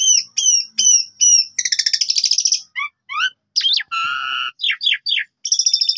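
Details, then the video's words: Asian pied starling song meant to stimulate other birds, from Indonesia: four downslurred whistles in a row, a harsh rattle, quick rising notes and a steady nasal tone, ending in another buzzy burst. "Pancingan Jalak Suren Ampuh Pagi Siang Malam Full Gacor"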